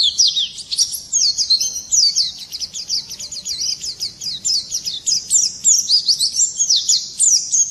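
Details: Swinhoe's white-eye singing in the morning: a rapid, continuous, high-pitched warble of thin twittering notes and quick up-and-down slurs, running without pause.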